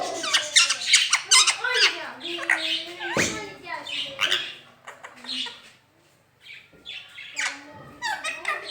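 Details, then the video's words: Talking rose-ringed parakeet repeating "Mian Mitthu Chori Khani Ha": rapid, chattering, voice-like syllables, bright and raspy, running in quick bursts, with a brief pause near the middle. "talking parrot speaking parrot"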